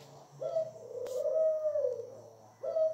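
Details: A Barbary dove kept as a pet coos once in a long, low, rolling phrase, cut by a sharp click, then starts a second coo at the end.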